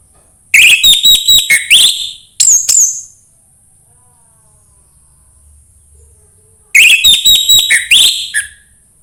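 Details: Orange-headed thrush singing, a recording meant to stimulate a bird that sings poorly: a fast run of piercing, descending whistled notes, a short extra flourish, then a long silence before the strident phrase returns, over a thin constant high-pitched hiss.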